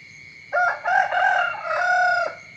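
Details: Rooster crowing in the morning: a loud, harmonic cock-a-doodle-doo lasting about 1.7 seconds, in several segments ending in a long held note that drops at the end, over a steady high insect-like hum.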